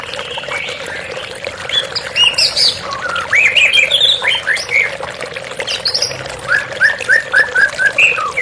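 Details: White-rumped shama song over running water, meant as a calming therapy recording: varied whistled and slurred phrases, rising sweeps and chirps, ending in a fast series of short repeated notes, with a steady background hum.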